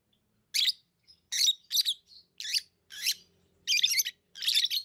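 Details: Lovebirds chirp in a steady series of harsh, high bursts about once every half second to second, over a faint low background hum.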